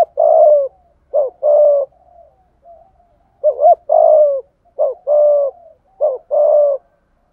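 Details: Spotted dove in 'giọng thổ' voice giving 'thúc gù' coos: a long low hoot, then four paired phrases of a clipped note and a sustained coo, spaced about a second apart, with a faint murmur between the first ones.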